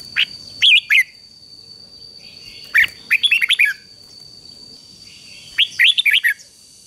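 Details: Red-whiskered bulbul song played to train a wild-caught bird. Three clusters of quick, rich warbled notes are separated by quiet gaps of one to two seconds, with a steady high electronic tone underneath.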